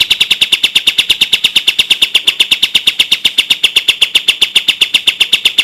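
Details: Tutor recording for caged songbirds, sooty-headed bulbul in the 'tembak' style: a fast, unbroken volley of crisp, high staccato notes at roughly four per second, steady in pitch and loudness from start to finish.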